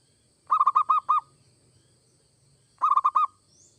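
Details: Zebra dove, local or Bangkok bird, singing to prompt other doves to call: two quick phrases of rolling, soft cooing notes, six then four, separated by a two-second pause, with faint low hum behind.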